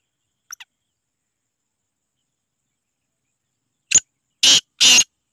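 A black francolin gives one harsh, grating phrase: a short clipped note, then two longer rasping notes in quick succession. The background is quiet apart from a faint tick earlier.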